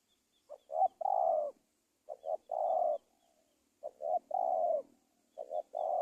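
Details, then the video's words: Spotted dove from Indonesia, recorded as a lure for catching wild doves: repeated phrases of two short coos and a drawn-out purring note roughly every 1.6 seconds, with faint distant chirps in the background. "SUARA TEKUKUR PIKAT"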